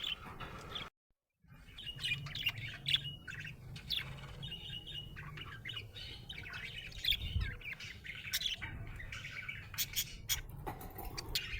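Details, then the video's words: Happy budgie chirping and warbling amid a low background hum, with a brief gap of silence near the start and scattered sharp clicks. "Happy budgie chirping sound"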